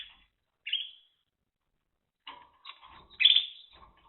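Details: Timbrado canary song from 2023: a single bright chirp, a long pause, then a cluster of rattling and trilled notes ending in a loud buzzy burst with low soft tones beneath.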